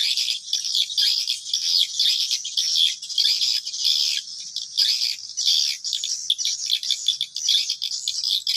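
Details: Swiftlet lure call used to attract swiftlets to a bird house: a dense, continuous high twittering of rapid chirps and clicks, pulsing in short bursts without pause.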